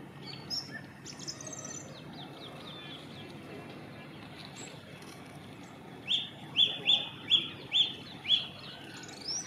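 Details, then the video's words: Song thrush singing at a leaf yard on a cold, dull, dark morning. After quiet scattered chirps, a loud, clear, high note repeats five times in quick succession, each roughly half a second apart. Faint background birds and a low rumble are also heard. "Song Thrush singing on a cold dull morning"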